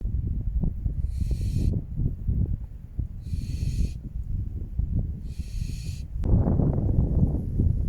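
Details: Barn owls at their nest in an old croft house on a windy November night, the male apparently urging the female toward a new nest site: three long, breathy hisses about two seconds apart over heavy rumbling wind.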